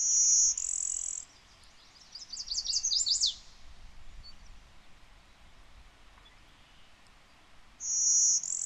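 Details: Blue-winged Warbler in Connecticut, in an area with much interbreeding with Golden-winged Warblers: a high, dry, insect-like buzz twice, about seven seconds apart, with a quick run of thin, falling trilled notes between.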